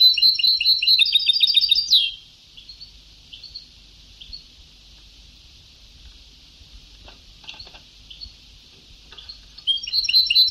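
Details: European goldfinch in Ceuta-style (sabtawi) song from an old recording: a fast, dense twittering trill for about two seconds, then long faint quiet with scattered soft notes, before lively twittering resumes at the end.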